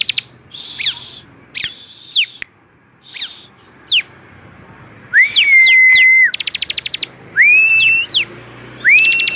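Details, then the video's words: Ciblek song: scattered sharp up-and-down whistled notes, then long flat clear whistles with rapid rattling trills between them, bright and varied. "ciblek, kicau burung, suara paling indah"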